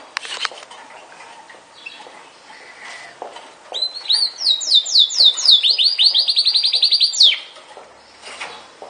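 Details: A Yorkshire canary sings a bright, high phrase of quick downslurred whistles that runs into a fast, even trill of about nine notes a second, after some faint chirps.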